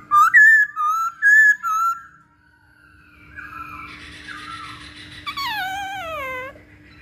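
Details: Masked laughingthrush, used as lure sound to get birds singing: four loud looping whistles in quick succession, then quieter mixed notes and a long, rich, sliding note that descends steadily over about a second.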